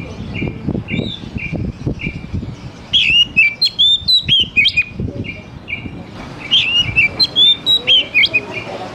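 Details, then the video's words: Oriental magpie-robin singing, played as a lure to get young forest-caught juveniles to sing: a run of short, evenly spaced mid-pitched notes, then rich, fast whistled phrases with sharp high flourishes, repeated twice. "SUARA PANCINGAN DASAR UNTUK KACER BAKALAN MUDA HUTAN TROTOLAN AGAR CEPAT BUNYI"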